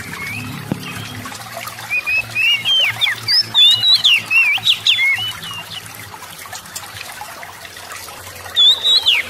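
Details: Oriental magpie-robin singing to stir other birds into song: bursts of quick whistled and chattering notes with sharp up-and-down slurs, broken by pauses, over a faint trickling background.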